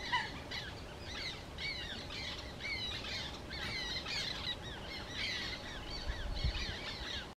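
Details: Black terns calling over Łąka reservoir, 14 May 2021: harsh, nasal, downward-bending notes repeated in rapid clusters by several birds throughout, with a low bump near the end.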